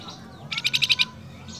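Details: A male flamboyan calling to its female gives a quick burst of six high, sharp chirps, about ten a second; faint traces of other small birds sound before and after.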